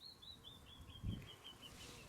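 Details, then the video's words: Canyon Wren in the desert gives a cascade of about ten clear whistled notes, each slightly lower than the last, over low rumbling background noise and a brief thump; the recordist first wondered if it was a marmot. "the sound you heard comes from the Canyon Wren !"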